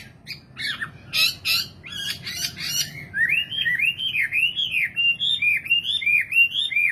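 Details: Nightingale singing: a burst of sharp clicking notes, then a run of rapid rising-and-falling whistled slurs repeated about twice a second, clear and loud over a faint low rumble.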